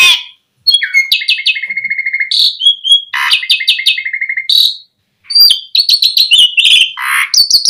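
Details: Asian pied starling song meant to stimulate starlings into quick, full singing: long runs of rapid repeated clicking notes, interspersed with squeaky whistles and harsh chatter, a brief silence, then a dense jumble of varied phrases.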